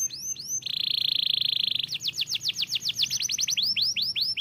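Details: Canary song noticed by other canaries: arched whistles, then a long buzzy trill held over a second, followed by rapid sweeping notes and more rising arched syllables.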